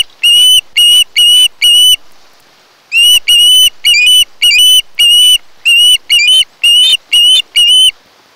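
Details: Osprey at its nest on Kent Island, Maryland, part of a mated pair, recorded by a nest camera on August 1, 2018. Bursts of loud, high, whistled notes with strong harmonics, about two per second, run in three series separated by short pauses.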